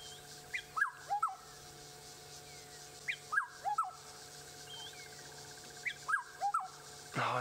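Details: On a sunrise safari drive in South Africa on 28 October 2016, a Black-headed Oriole, heard constantly in the area, gives a liquid, fluty whistled phrase of three or four notes. It repeats about every three seconds over a low steady vehicle engine hum.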